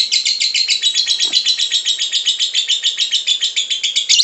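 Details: Lovebird song in the ngekek style, played to coax caged lovebirds into singing. Shrill, rapid chatter pulses repeat about four times per second in an unbroken rhythmic stream, bright and raspy, indoors.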